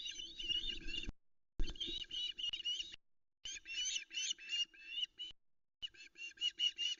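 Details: Osprey female waiting on the Loch Arkaig nest for her mate to bring fish, misty dawn on 13 August 2020: urgent high whistled yelps in fast runs, with some low rumbling noise at the start.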